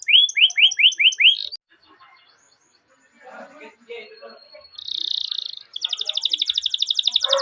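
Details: Canary training-lure song: quick downslurred notes at the start, a quiet murmuring pause with faint voices, then a buzzy tone and a fast rolling trill.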